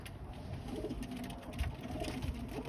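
A pigeon gives low, soft, throaty coos that rise and fall. A faint hum and a few low thumps sound in a small room.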